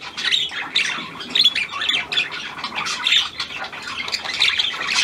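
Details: A hand-tame Australian pied budgerigar, newly kept as a pet, gives harsh squawks and rapid scratchy chirps in quick bursts, high-pitched and steady, in a small room.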